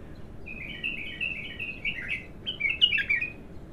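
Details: Raw bulbul singing for the first time, a soft continuous chatter of quick, overlapping twittering notes that grows louder and more varied toward the end.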